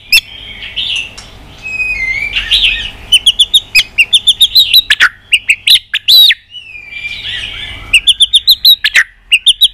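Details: White-rumped shama in fighting song with tail beating and tacks: warbled whistled passages alternating with rapid strings of short high notes and a few loud harsh bursts, low background hum throughout.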